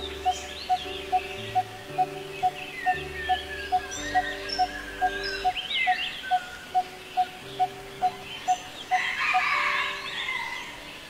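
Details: Coppersmith Barbet (Megalaima haemacephala), a tree-dwelling bird of tall trees around Kolkata known for its 'tuk tuk' call on still afternoons, giving a steady series of hollow, metallic 'tuk' notes, a little over two per second, over soft background music and chirps from other birds.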